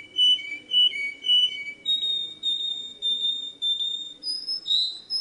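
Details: Canary song for schooling young birds: repeated mellow whistles in pairs, then longer level tones, ending with higher sliding notes.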